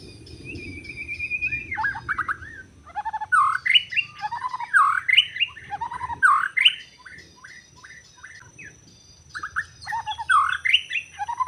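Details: Wild white-rumped shama in forest, recorded during bird trapping, Lombok mentioned: a long flat whistle, then a run of varied rich phrases with swooping, rising notes and chatters in bursts, separated by short pauses; faint low background rumble.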